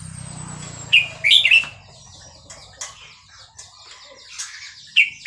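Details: Red-whiskered bulbul, Burmese line, Dan Singkhon in Thailand: a lively three-note warbled phrase, then scattered soft chirps and a single bright note closing the recording.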